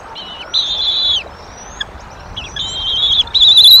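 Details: Wild bald eagle female vocalising at her Decorah nest in April 2023: a string of high, steady whistled notes of roughly half a second to a second each, some slurring downward at the end, with faint softer whistles between them.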